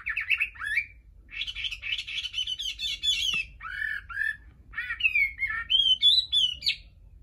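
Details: Chinese hwamei singing naturally without a female present, pouring out a fast, varied song of rich whistled slurs, rising and falling phrases, and harsher chattering notes, with almost no pauses; faint low background hum.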